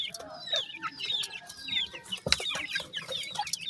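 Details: Grey francolin chicks calling in quick, high, falling peeps, many birds overlapping in a continuous twittering chorus, one sharp knock midway.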